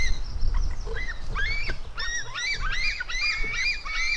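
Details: White-tailed eagle eaglets, a female fighting with her brother, give scattered then rapid high squealing notes, each bent in an arch, becoming a dense chattering series in the second half, with low background rumble.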